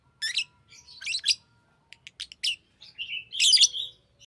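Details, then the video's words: Pet lovebird trilling and chirping, a jumble of short scratchy notes and thin whistles building to a longer, dense buzzy phrase near the end. "Lovebird singing and chirping sounds"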